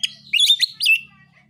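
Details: Short burst of Oriental magpie-robin narung fighting song, meant to rouse rival birds: a quick scratchy trill flows into bright, slurred whistles. A faint low hum plays underneath.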